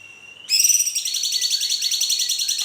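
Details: Cucak cungkok bulbul giving a long rolling song, used to lure or train other birds into singing; after a faint high tone, a dense, fast-rolling run of bright, high chattering notes continues without pause to the end.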